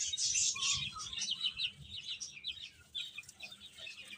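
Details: Chicks of domestic chicken eating and playing give a steady stream of thin, high chirps, several per second and irregularly spaced, softer toward the end, over a low murmur of rustling.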